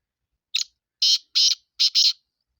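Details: Sindhi black francolin calling: a short harsh lead note, then four grating, buzzy notes in quick succession, the last two close together, in an otherwise silent background.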